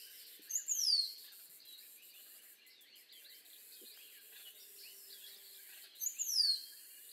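Rose-throated Becard giving two thin, high, downslurred whistles about five seconds apart, over a steady background chorus of faint chirps from other birds or insects.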